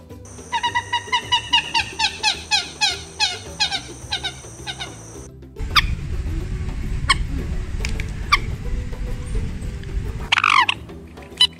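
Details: Common moorhens, six released together into the wild, give a quick run of clipped, harsh notes, then sharp isolated kek calls over a low rumble of wind or water, with a steady high tone alongside.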